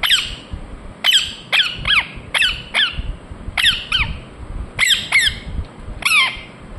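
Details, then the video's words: Indian ringneck parakeet giving loud, harsh downward-sweeping chirps, singly and in pairs at irregular intervals, with brief speech after. "Parrot Chirping sounds Natural Sound | Ringneck parrot Naturals Sound"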